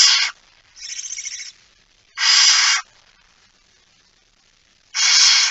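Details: Barn owl feeding at the nest, 19 September 2019, 05:28; loud rough hisses under a second long alternate with a quieter pulsing one, separated by gaps of up to two seconds.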